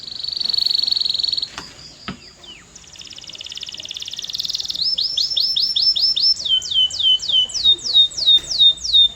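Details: Canary singing a steady high trill, brief clicks, a soft buzzy passage, then a series of clear downward-sweeping whistles repeated about twice per second.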